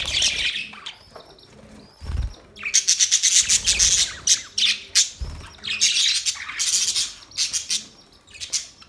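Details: Budgerigars give loud, continuous high chatter, with rapid scratchy and squawky chirps pulsing several times a second in long runs broken by brief pauses, over a faint low hum.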